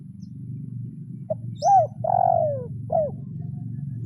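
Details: Spotted dove lure bird in kuk 0-1 style calling a rival after a quiet rumbling start: a clipped note, an arched coo, a long descending coo and a short ending coo. A thin high chirp sounds once.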